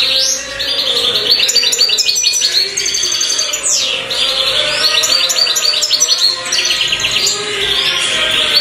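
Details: A black mutation goldfinch delivers continuous bright twittering song of quick buzzy chirps and short trills with brief pauses, over a faint sustained low hum.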